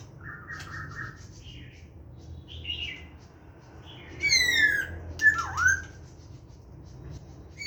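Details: A 'hàm rồng' laughingthrush delivering its wild-type song, 29 September 2023: sparse, short whistled phrases early on, then a loud burst of descending slurred whistles and a dipping note, with a quiet hum between.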